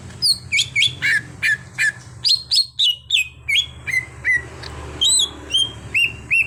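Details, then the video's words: Greater green leafbird (cucak hijau), an untrained bird being trained to sing freely, giving a lively run of sharp whistled chirps. The notes hook downward and come in quick even bursts, sometimes doubled, over a faint low hum. "Pandai Membuat Cucak Hijau Bahan jadi Gacor"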